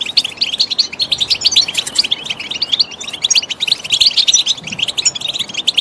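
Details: Stimulation song of a goldfinch: rapid, tinkling twitters and sharp chirps run together in a steady, busy stream, loud and unbroken throughout the short stretch.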